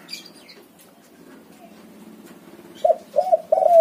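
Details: White-coloured spotted dove song used as a lure for doves that won't sing: after quiet background and faint chirps, three rough coos arrive in quick succession at the end.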